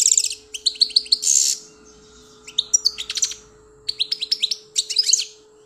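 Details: Pet European goldfinch from Algeria delivering fast, tinkling twitters and a harsh buzzy note, phrases separated by brief gaps, over a faint constant low hum.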